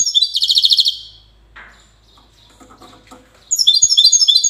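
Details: European goldfinch, Widani song, recorded in Safi, Morocco. A rapid buzzy trill of evenly repeated high notes stops abruptly. Soft background rustling follows before another energetic run of bright twittering phrases.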